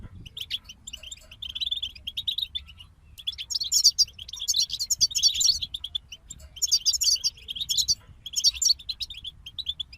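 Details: Group of European goldfinches in song: steady strings of short chirps at one pitch, then louder tangled twittering phrases rising higher, separated by short gaps; quiet low hum beneath.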